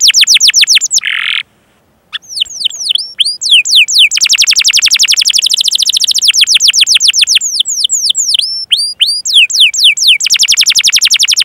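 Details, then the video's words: Canary song for training young or reluctant singers: rapid high trills alternating with falling whistled sweeps, a short silent gap near the start, and long stretches of fast rolling notes. "Masteran Suara Burung Kenari Gacor Panjang cuit cuit Ngerol untuk Pancingan Kenari!"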